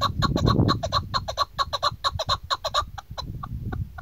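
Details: A female chukar gives a hunting-lure call, a quick series of clucking chuk notes about two per second, with low rumbling noise underneath.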